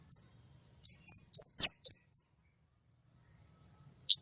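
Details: White-rumped shama in active, clear song: a quick phrase of five or six loud, high whistled notes sweeping and slurring, then near silence and one final sharp note.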